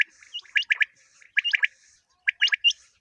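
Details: Common quail heard in a quail-hunting recording: quick clusters of three clipped notes mixed with higher rising squeaky notes, three bursts within a few seconds, otherwise quiet.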